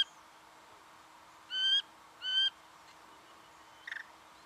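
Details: Singing honeyeater recorded in Victoria, Australia, in November 2011, giving two grating, nasal notes a second apart, then a short faint chatter, with a constant low background hum.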